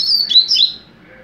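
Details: Young double-collared seedeater, captive-bred, mateiro song type: a short bright burst of high slurred warbling notes that fades after under a second.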